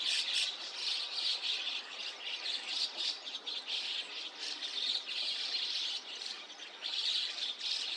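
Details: White-cheeked starlings in a mixed flock with chestnut-cheeked starlings, dawn at 5 a.m., 29 June 2026, Takata-cho, Rikuzentakata, Japan; constant dense screechy chatter from numerous birds with repeated loud swells.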